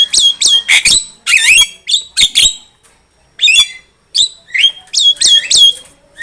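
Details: Javan myna song used as a trapping lure, bursts of loud high whistles and harsh chatter separated by short silences, with clear whistled notes near the end.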